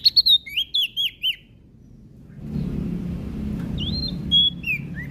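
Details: Prinia singing loudly, said to provoke other birds: quick burst of sharp downslurred chirps and wavering whistled notes, a pause with background hum, then more slurred whistles.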